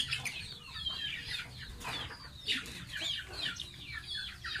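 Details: Baby pet goose taking a bath, uttering a rapid stream of thin, high downward-slurred peeps with occasional splash-like noise bursts.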